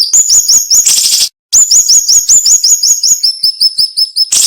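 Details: Sharp, closely packed song of a cinnamon-bellied flowerpecker used to tutor cage birds: quick upslurred high notes, a harsh burst, a short silence, then a long run of thin piercing notes ending in another rasp.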